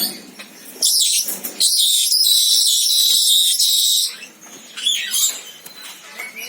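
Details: Senegal parrot giving a sustained series of loud, raspy screeches lasting about three seconds, then quieter squeaky notes and a short rising whistle.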